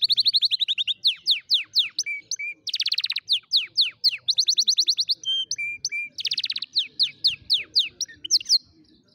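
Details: Canary singing as a tutor for young canaries: fast rolling trills alternate with series of sharp descending sweeps and short level whistles, phrases changing every second or so in a lively, varied sequence.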